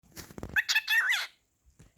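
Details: Pet cockatiel talking indoors, asking "whatcha doing": a brief burst of warbled, whistly speech-like chirps that rise and fall, just before a person speaks to it.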